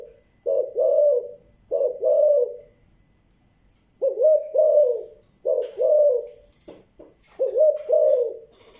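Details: Malaysian spotted dove cooing thúc gù style: paired deep coos, a pause of about a second, then more, with scattered clicks and light chirps near the end over a steady faint whine.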